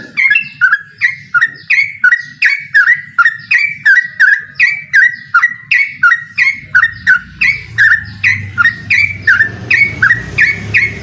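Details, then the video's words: Yellow-vented bulbul in full challenge song toward a rival: a steady, rapid chain of bubbly whistled phrases, nearly three per second, with low hum growing in the second half. "suara burung trucukan gacor mengajak lawan adu ropel"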